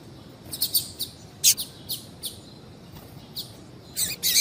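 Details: Female double-collared seedeater calling to stimulate a male: quick high-pitched chirps in pairs and small groups, with a denser burst of chips at the end.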